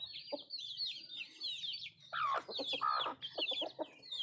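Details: Country chickens at their food: thin repeated chick peeps at first, then a dense cluster of harsh clucks and squawky notes in the second half.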